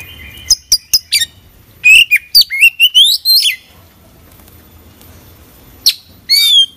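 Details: Oriental magpie-robin in full voice with a filled-out song: sharp high chips and clicks, then a fast run of bright slurred whistles rising and falling, a pause, and more upswept whistled notes over faint low hum.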